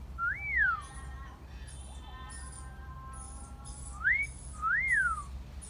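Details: Parrot outdoors in a garden whistling: an arched slur, a pause with faint lower tones, then a full wolf whistle of rising note and rise-fall swoop, high chirps overhead.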